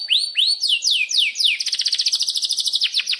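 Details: Canary song as a lure for canaries: several arched, then falling whistled sweeps, followed by a rapid continuous trilled roll.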